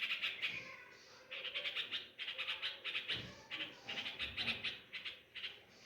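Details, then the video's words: Parent nightingales near their nest in home pomegranate plants, crying after losing a chick to a cat on the chicks' first day out of the nest: bursts of rapid, harsh, repeated chirps, several per second, with short pauses between bursts. "Behaviour of Nightangles After Loosing Chick | Birds Cry For Lost Chick"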